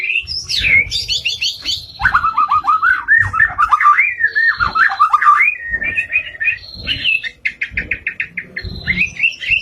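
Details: Energetic white-rumped shama song: long varied flow of warbled, looping whistles dipping and rising, interspersed with rapid staccato chips and trills, with soft background knocks.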